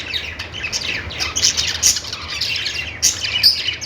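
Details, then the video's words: Budgies chirp in short, high, buzzy twitters with a few piercing squeaks rising above steady warbling, the chatter never pausing across the short stretch. "Budgies singing |budgies sounds | parakeet chirping sounds"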